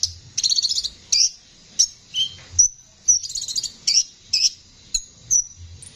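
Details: Konin with a rough singing voice, recorded to train songbirds: a short buzzy rattle, then scattered high thin chirps and a lower slurred note, each spaced about a second apart.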